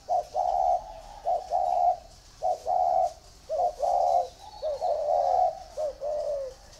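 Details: Caged spotted doves, one kept in a round bamboo cage and one in an iron cage, cooing: mellow phrases of short notes followed by longer drawn coos, repeated steadily with brief pauses, clear and close.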